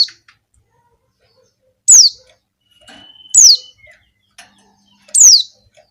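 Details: Female Javan white-eye calling to males, used to lure flocks of white-eyes: sharp, high notes sliding quickly downward, about three spaced roughly 1.5 seconds apart, with a faint thin steady whistle between them.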